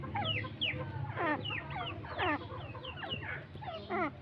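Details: Irani teetar partridge calling in dense, overlapping bursts of harsh, downward-sweeping notes, roughly one a second, with a constant low mechanical hum underneath.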